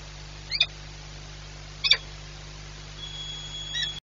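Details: Peregrine falcon pair at Orlen Płock, 1 April 2022, the female perhaps having trouble landing: two short, harsh, nasal calls about a second apart over a steady low hum, then a thin drawn-out whistle.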